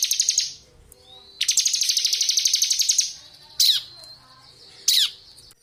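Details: A crystal blue robin in lively ngebren song for tutoring magpie robins: a short trill, then a long continuous high rattling buzz of nearly two seconds, followed by two separate sharp falling whistled notes.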